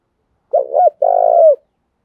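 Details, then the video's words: Spotted dove acting as a decoy to get wild birds to answer: a single low phrase, two quick rounded hoots followed by a longer buzzing, evenly pulsed coo that trails downward. "tieng chim cu mồi thuc boi căng lửa, bổi nghe gáy theo và rất nhanh nổi"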